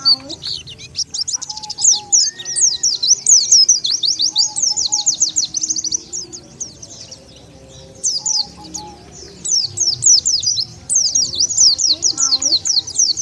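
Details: Oriental white-eye call played to lure wild white-eyes to gather: dense chattering runs of high, rapid chirps, a quiet gap around the middle, then more twittering bursts with faint low background sound.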